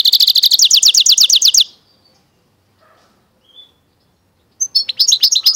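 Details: Goldfinch × canary mule delivering a rapid, even trill of high repeated notes for about a second and a half, a short quiet gap with one soft note, then the trilling resumes in a quick chattering burst.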